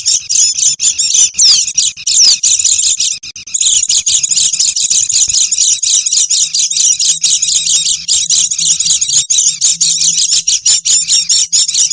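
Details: Noisy Oriental white-eye calls used as a lure to attract wild birds: dense, continuous high chattering and twittering, several birds overlapping, with rapid buzzy notes throughout and a faint low hum beneath.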